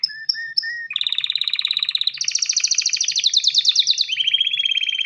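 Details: Male canary calling a female to mate: three short flat whistles, then a long rapid rolling trill that rises higher and stays dense to the end.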